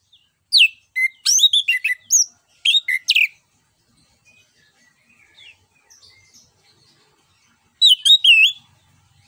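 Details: An orange-headed thrush sings ngeplong-style, a recording meant as a lure to set other birds singing: clusters of sharp, down-slurred whistles in quick succession, a long quiet stretch, then a brief closing phrase.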